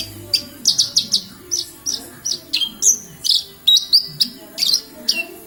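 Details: In Kediri, a Javan bush lark sings vigorously, a dense series of bright, high chirps and short downslurred whistles, some clustered in fast triplets, over a steady low murmur.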